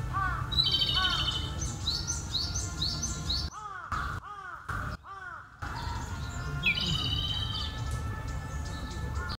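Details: A male Japanese robin sings from inside a thicket, giving bursts of high, rattling trills. Lower, arched calls from another bird repeat throughout, and the sound briefly cuts out midway.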